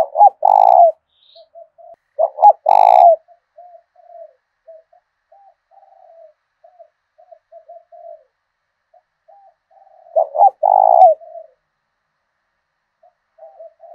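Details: Decoy spotted dove with the 'thổ đồng' voice style of southern Vietnam, kept to provoke fighting and lure wild birds. Three loud, hoarse coo phrases are heard, separated by many soft, low murmured notes, with a quiet background.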